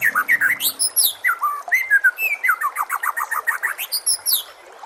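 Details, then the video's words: Bird song for training caged magpie-robins: continuous rapid varied whistles and downslurred notes, with fast high twittering above, set against a nature background. "suara MASTERAN burung"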